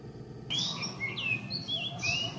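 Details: A Philippine magpie-robin, one of several gathering nest material and perching briefly to sing before moving on, possibly claiming territory, sings a varied run of clear whistled notes, some rising, some falling, over faint low background noise.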